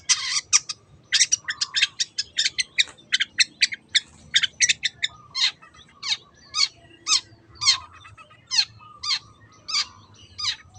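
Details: Long-tailed shrike in 'teot teot' song, played to spur other birds to sing: rapid harsh ticks at first, slowing to single sharp chips about every half second over a faint low hum.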